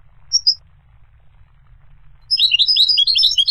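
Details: Two short high chirps from a goldfinch, a silent gap, then an energetic burst of fast, tinkling twitter notes in a dense run.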